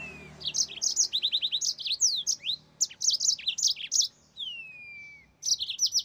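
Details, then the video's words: Yellow-fronted canary pouring out a dense chain of bright chirps and fast trilled runs, with a drawn-out falling whistle midway, a brief pause, then more chattering phrases. "Mozambik Gacor NgeroL SUARA TOP"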